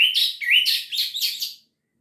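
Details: Orange-headed thrush, kept songbird, in full lively song: a rapid run of sweet whistled phrases with bright rising slurs and rich warbled notes, delivered continuously for about a second and a half before falling silent.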